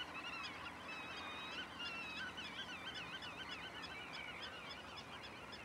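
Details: A flock of pied avocets calls together on 6 May 2011 at the Waterland-Oost nature reserve, Durgerdam, Holland: a dense chorus of overlapping fluty, wavering 'kluut' notes over a steady background hiss.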